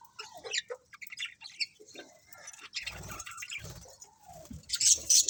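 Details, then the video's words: Colourful budgerigars in a colony give varied twittering notes, some sliding and warbled, building into loud, piercing squeaky chirps at the close, with light rustling underneath. "Cute Colourful Budgies Chirping Sounds | Budgies Colony"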